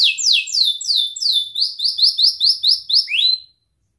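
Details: Canary singing to stimulate canaries that have stopped singing: loud, sweeping downward whistles, then a quicker series of clipped chirps, ending on a single rising note.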